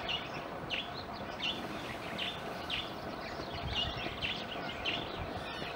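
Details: Eurasian coot chicks, some in the nest and tended by their parents, at the Schützenweiher pond in Winterthur: thin, high peeping calls repeated roughly once a second over a steady background hum and low rumble.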